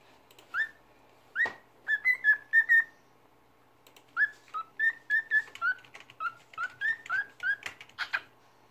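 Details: Cockatiel (Nymphicus hollandicus), a talking and singing pet, whistling a tune: short clear notes in quick phrases, a pause midway, then a longer run of rising and falling whistles, with faint clicks.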